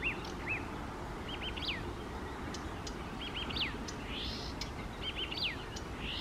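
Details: Eurasian reed warbler singing at lakeside on a morning of May 28, 2024, in Poland: clipped notes repeated in quick groups of two or three, broken by sweeping downslurred whistles, recurring about every two seconds over a steady low hum.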